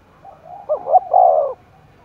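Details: Single cooing phrase from a spotted dove excited for contest in Đồng Nai, Vietnam. Soft lead-in notes, then a double note and a long, steady, mellow coo lasting about half a second.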